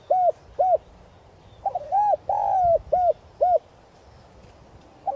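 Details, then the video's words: Spotted dove decoy calling to attract wild doves in 'giọng son' voice: two short coos, then a full phrase of a lead-in note, rounded coo, long sliding coo and two short coos, another starting at the end. "Cu gáy mồi chuẩn Gáy Gọi + thúc giọng son kích bổi nhanh nổi"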